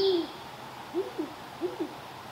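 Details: Great horned owl met on an evening walk, giving low, soft hoots: one longer hoot at the start, then two quick pairs of short, mellow hoots about a second apart, with a faint high whistle fading early on.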